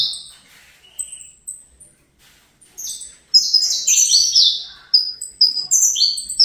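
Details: Captive-bred juvenile saffron finch starting with scattered thin high chips, then breaking into a dense, loud fibra-style run of overlapping downslurred buzzy notes.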